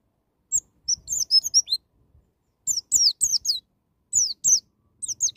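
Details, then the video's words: White-eye giving the wild 'ngalas' song in firing bursts, used to coax young birds into song: scattered groups of thin, high, falling and twisting notes delivered in quick clusters with short silences. "BURUNG PLECI NGALAS NEMBAK"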